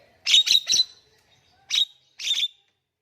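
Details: Javan myna, recording meant to prompt quiet mynas to sing: a fast cluster of three harsh chirps, then two shorter chirp bursts after a pause.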